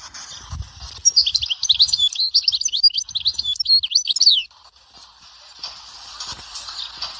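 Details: European goldfinch, Dahwara sector song style, Souk Ahras: after a second of low background noise, a three-second burst of rapid liquid twitters and metallic trills, then quiet hum with soft knocks.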